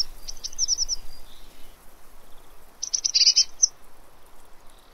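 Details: Eurasian blue tit at a fat ball feeder in Pellerey, filmed 3 March 2017: two bursts of thin, very high, rapid chittering notes, the second denser and slightly lower-edged, separated by a quiet gap.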